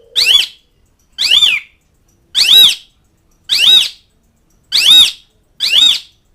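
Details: Asian pied starling calling to mates and rivals with six loud, harsh arched notes, each short and ringing, repeated roughly once a second against silence.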